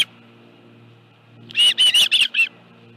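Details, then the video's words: Osprey at the Dunrovin Ranch nest with a live fish on 25 July 2018: after a quiet stretch, a short burst of five high, sharp chirping notes. "Dunrovin Ranch Osprey Nest Video_2018-07-25_174852-live fish 5.23 PM"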